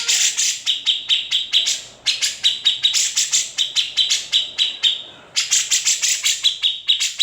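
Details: Grey-cheeked bulbul master song with its typical rasping besetan and ngepik notes, meant for training magpie robins and leafbirds; bursts of quick buzzy clicks over a shrill held note, broken by two short pauses.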